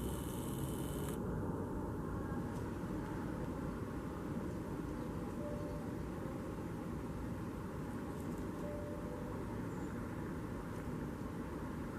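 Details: Steady low rumbling vehicle or engine noise throughout, with no animal calls standing out.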